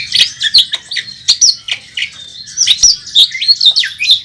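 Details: Oriental magpie-robin fighting and singing hard on the contest track, a national first-place winner in full song with imitations: rapid varied high whistles and chirps, rising and falling notes, bursts packed closely together.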